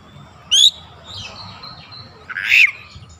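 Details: Oriental magpie-robin lure song: two harsh, scratchy bursts about two seconds apart with soft whistled notes between them.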